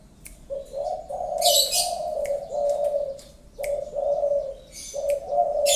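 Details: Low, soft coos of a favoured spotted dove in repeated phrases, short lead note then longer wavering coo, overlapped by loud high chirps and twitters from small birds nearby.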